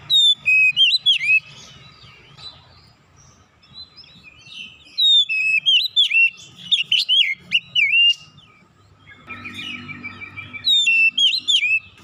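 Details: Oriental magpie-robin singing, bringing out its repertoire of hidden imitated phrases; loud bursts of sharp whistled, looping notes rising and falling in quick sequences, separated by quieter pauses with a faint steady hum and low rumbling underneath.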